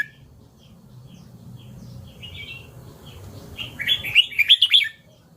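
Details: Red-whiskered bulbul giving one lively phrase of rapid, slurred chirps that build in loudness near the end, after a few faint soft notes and a low background hum.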